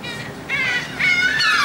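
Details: Gulls being fed aboard a ferry from Texel, Netherlands, 28 March 2014, giving overlapping, wavering, wailing cries that slide downward at the end.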